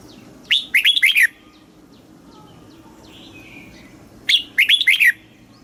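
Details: Red-whiskered bulbul from Thailand giving southern master-phrase song meant to stimulate caged birds and teach young birds: two short, loud, warbling phrases roughly four seconds apart over a quiet background.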